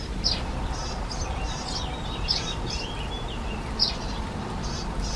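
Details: European greenfinch family of male, female and fledglings, whose far-carrying begging accompanies the parents: sharp, high chirps every second or two, softer twittering between, steady low rumble.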